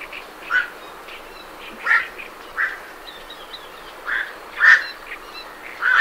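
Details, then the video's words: Night herons leaving their roost, recorded at medium-close range, give short, harsh croaking 'quok' calls, one every second or so at an uneven pace, with great reed warblers singing faintly in the background. "Night Heron Calls"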